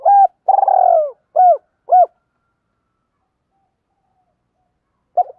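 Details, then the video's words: Decoy spotted dove cooing to call in wild doves: a short opening note, a long purring coo, then two short hooked coos, ending in silence broken by one brief soft note near the end. "chim cu mồi gáy gọi - thúc . giúp bổi nghe rất nhanh nổi"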